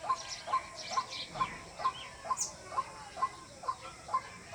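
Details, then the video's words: White-breasted Waterhen call: a monotonous run of hollow, mid-pitched 'kook' notes, about two per second, with faint chirps of other birds behind. "Jal murgi Ki Awaz water hin || ডাউক পাখির ডাক। Waterhen Bird Call"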